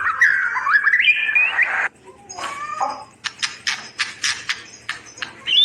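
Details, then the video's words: White-rumped shama song used as a tutor recording for caged shamas that stopped singing: a rich warbled whistle rising through the first two seconds, a pause, then a string of sharp clicking chips. "Masteran Burung Murai yang macet bunyi durasi panjang gacor dor"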